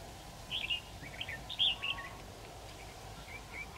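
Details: Decoy red-whiskered bulbul singing during a trapping session on 23 October 2019 to provoke rival birds: a quick run of clear, warbling whistled notes lasting about a second and a half, then a few softer notes, over constant low hum.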